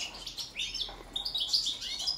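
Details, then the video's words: ['Balkan-race European goldfinch in song: quick slurred twitters rising into a bright, ringing high note, delivered in a short unbroken phrase.'] "Kontrola pesme, štiglić, češljugar, grdelin n, carduelis balcanica"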